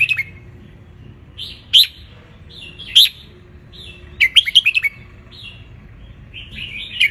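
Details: Sunbathing red-whiskered bulbul of wild Ratchaburi stock, Thailand, sings to tutor young birds: separate sharp chirped phrases roughly every second, then a rapid cluster of bright whistled notes and more chirps.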